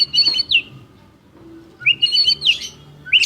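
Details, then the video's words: White-rumped shama in energetic, showy full song: two bright whistled phrases with high warbling notes and upward-sweeping slurs, separated by a short pause, over a low hum. "Murai Batu Gacor Juara: Kicauan Penuh Gaya dan Energi"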